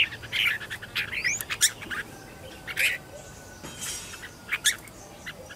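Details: Red-whiskered bulbul used as a decoy to lure wild birds, kept at home for singing practice: scattered sharp chirps and short whistled notes, with a brief upward-sliding whistle, over a faint steady hum.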